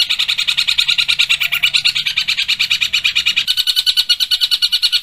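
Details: Long-tailed shrike pours out a dense, sharp chatter of high, rattling notes, about three a second, nonstop; a tutor recording for young shrikes to imitate.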